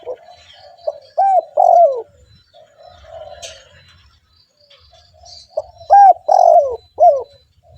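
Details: Spotted dove, a lively caller for luring other doves, gives two phrases of loud arched coos with a long downslurred coo in each, separated by a stretch of quiet low cooing.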